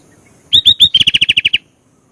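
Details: Sooty-headed bulbul singing energetically: three loud upslurred whistled notes, then a fast run of about ten short, even, bright notes, all in one burst lasting about a second.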